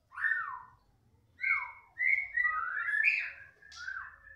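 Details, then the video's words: ['Young white-rumped shama from the forest, worked up by hearing another shama. It delivers loud whistled phrases that rise and fall, linked by fast slurred notes and a few higher sharp notes.'] "mb muda hutan kebakar emosi ketika dengar suara murai batu lain"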